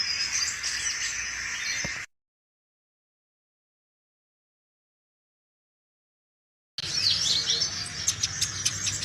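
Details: Actively singing sunbird, the recording intended as a lure for other sunbirds or as master song; a burst of high twittering, then a long silent gap, then quick sharp chirps and clicks resuming.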